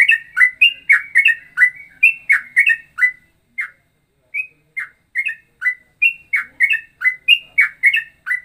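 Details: Ropelan variation likened to cucak rowo and trucukan song: rapid runs of rich whistled notes that fall in pitch, a short silence, then another lively string of chirps.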